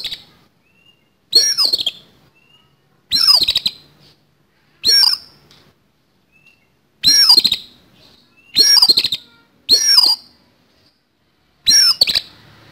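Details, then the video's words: Harsh fighting song of an oriental magpie-robin with a rough fill-in: eight loud scratchy phrases of curving whistles and rattling notes over about thirteen seconds, with irregular gaps and faint thin whistles between. "KACER TARUNG ISIAN KASAR"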